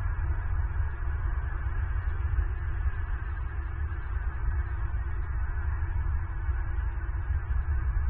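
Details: Only a steady, deep rumbling hum, like wind or machinery, runs unchanged throughout, with no calls or other animal sounds.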